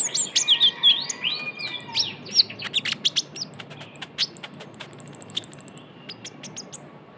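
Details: Lure recording of a young Javan white-eye calling energetically: opening sweeping whistled notes give way to fast, irregular strings of very high, thin ticking chirps that thin out toward the end.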